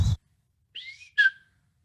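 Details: A male Brown-headed Cowbird gives a thin, high, whiny whistle that rises, then a short burst that slides down and ends abruptly. It is possibly a call rather than a song. A soft thump comes first.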